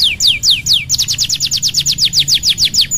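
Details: Canary song played to coax a reluctant bird into singing: three slow high downward sweeps, then a fast even trill of short descending notes, about six per second, over a faint low hum.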